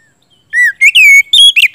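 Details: Oriental magpie-robin in loud gacor ngeplong singing, played to coax a bird that has stopped singing into answering. After a quiet start come strong whistled notes, one long steady whistle, then quick sliding phrases.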